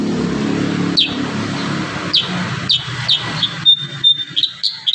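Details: Kurincang bird in lively full song, used as training audio for young birds: sharp high whistled notes repeated about once a second, ending in a quicker run of thin clear pips, over a steady low rumble of traffic.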